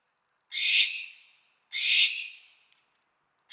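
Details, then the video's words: Barn owl uttering its mating call: two drawn-out, raspy, hissing screeches about a second and a half apart, each swelling and then trailing off. A third screech begins just as the sound ends. "Mating sound of owl"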